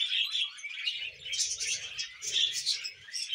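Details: Brief burst of pet budgerigar warbling, quick buzzy twitters with two brighter peaks, over faint low murmuring.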